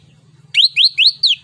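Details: Orange-headed thrush, locally anis kembang, giving 'ngeplong nembak' song as a lure and tutor for other birds: four loud rising whistled notes repeated about every quarter second, ending on a short high note.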